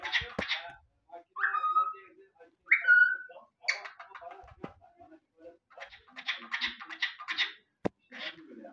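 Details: Pet cockatiel, described as talking very clearly, producing speech-like syllable bursts mixed with short rising whistled notes, several words in quick succession with brief pauses, in a quiet indoor setting.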